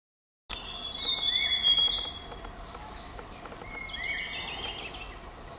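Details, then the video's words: Large niltava near Pelling, Sikkim, in May 2022, giving high, thin whistled notes, some long and level, others sliding up, overlapping in quick succession over a soft background hiss. "Large Niltava"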